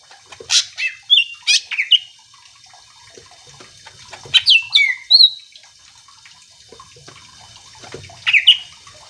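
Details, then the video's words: Greater green leafbird song used to provoke other leafbirds into singing: three short bursts of sharp notes followed by clear slurred whistles, spaced several seconds apart over a faint background. "Cucak ijo gacor AMPUH bikin burung mu langsung emosi ikutan bunyi"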